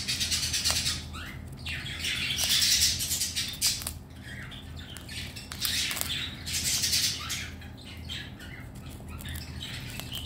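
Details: A pet red-collared lorikeet, happy with its favourite chew balls and with its owner home, gives loud, harsh, buzzy squawks in bursts lasting a second or two, separated by short pauses and soft rustling.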